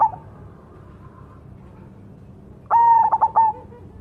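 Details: Cemani zebra dove singing: after a quiet stretch, one loud stuttering coo near the end, a high opening note broken into quick pulsed beats and then a short trailing tone.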